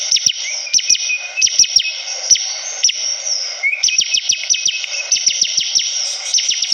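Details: Actively singing Bar-winged prinia: repeated clusters of piercing downward-slurred chips, a faint rising whistle early on and another mid-clip, then a rapid stuttering series, backed by high constant hiss.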